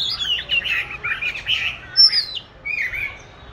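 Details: Caged oriental magpie-robin, raised from July 2020, recorded in March 2021 during song practice; dense, somewhat rough warbling notes in quick succession, with a clear high slurred whistle near the middle.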